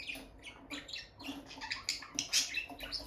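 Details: Peach-faced lovebird couple, a bonded pair near the nest box, giving a rapid run of sharp, high squeaky chirps that overlap and tumble over one another for about three seconds.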